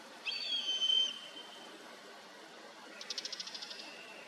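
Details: Common buzzard giving one long, thin, slightly descending whistled mew, followed after a pause by a quiet rapid series of ticking notes over steady background hiss.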